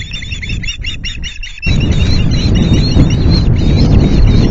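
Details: Osprey calling at the Loch Garten nest around an afternoon fish delivery on 25 July: a fast burst of sharp high chirps for under two seconds, then a sudden surge of wind noise with faint whistled notes beneath it.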